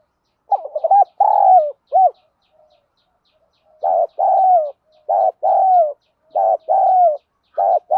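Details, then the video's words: Spotted doves, male and female, in a calling and thúc gù cooing recording of the field-voice style used to train birds. Low, hoarse coo phrases, each a short stuttered start and then a long falling crooo, repeated in three bouts. "chim cu gáy thúc gù & gáy gọi, cu gáy giọng đồng, gù thúc, tiếng đồng gáy gọi"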